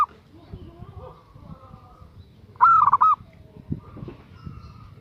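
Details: A female zebra dove calls to a male with one mid-pitched rolling phrase, a rising coo followed by rapid trilled notes, surrounded by faint, indistinct background chatter and rustling.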